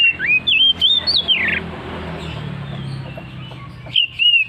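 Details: Oriental magpie-robin in loud, open, persistent "ngeplong" singing: clear whistled phrases sliding and warbling through the first 1.6 seconds, then a low hum and faint noise, and a brief whistled phrase returning near the end.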